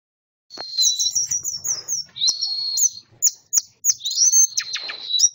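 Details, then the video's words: Caged orange-headed thrush from Malang, fed live earthworms, singing in the classic 'teler' style: bright, rapid, high whistled phrases and sweeping trills in quick succession, with brief pauses and sharp clicks between bursts. "Anis Merah Teler Gacor - Gaya Klasik Sambil Ngoceh"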